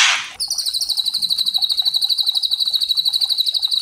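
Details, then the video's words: White-rumped shama kretekan, a provoking rattle for luring other shamas to sing: after a brief noisy start, a steady, high, buzzy stream of fast repeated pulses continues to the end. "Pancingan Murai trotol agar ngeplong dan murai pastol bunyi gacor variasi Kretekan murai batu"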